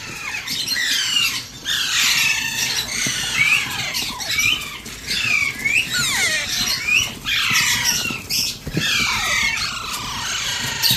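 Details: Hand-fed Alexandrine parakeet chick gives rough, screechy begging squawks, many with a falling pitch, in bursts separated by brief gaps.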